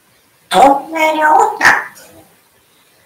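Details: Pet African grey parrot speaking in a small room: one continuous run of throaty, harmonic speech-like sounds lasting over a second, ending in a sharp short syllable.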